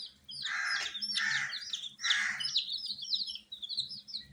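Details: Captive coloured chicken chicks: three loud, coarse, broadband bursts in the first half, then a steady stream of high, thin, descending peeps from many birds.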